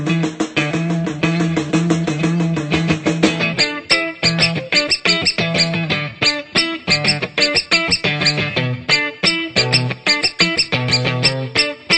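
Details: Rhythmic guitar-driven music with bass plays throughout, with no animal sounds.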